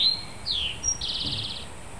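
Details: Wild bird singing on a hill on a steamy late-June summer morning in Lake Wales, Florida: a high whistle, a descending slurred note, then a fast even trill, over steady background hiss.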